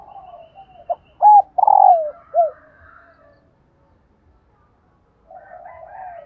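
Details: Female spotted dove call, used to stir reluctant caged decoy males into cooing: faint soft cooing, then a short note, two clipped hoots, a long rolling coo sliding downward and a final falling note, with quieter cooing returning at the end.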